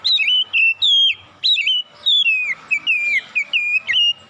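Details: Oriental magpie-robin heard in the morning with loud, fluty whistles that twist downward and upward, strung in rapid phrases roughly every half second, with a faint hum underneath.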